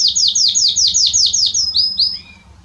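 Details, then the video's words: Belgian canary in strong song to warm up other canaries: eight loud, evenly spaced downslurred whistles, then two rising notes and a soft low trailing note. "Canário Belga Estourado esquente seu canário belga em 30 minutos"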